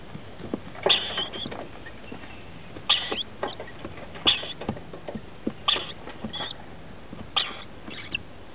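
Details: Rainbow lorikeets at a roof nest with chicks of 21 and 17 days being fed, 23 October 2013: harsh, scratchy squawks repeated roughly every one and a half seconds, with soft scraping and clicking between them.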